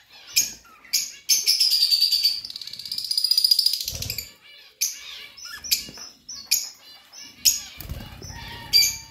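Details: Pet budgerigars chirping and warbling in a continuous, fast, scratchy stream of high notes, broken by sharp tweets and a few knocks.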